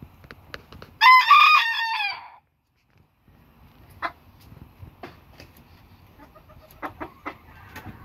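A Booted Bantam rooster gives one short, bright crow lasting just over a second, followed by quiet clicks and a few soft knocking sounds.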